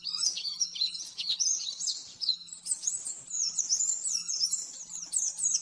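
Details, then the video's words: Oriental white-eye, rapid master song for training caged birds, 'nembak-nembak' style: excited, high-pitched twittering delivered almost without a break, full of fast trills and wavering slurs, over a faint low hum. "Masteran burung pleci nembak-nembak 100% jernih"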